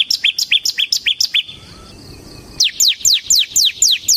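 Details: Bar-winged prinia (ciblek semi) giving gacor ngebren song meant to lure birds: quick series of high downslurred chirps, a brief quiet gap, then more loud slurred notes at a steady pace.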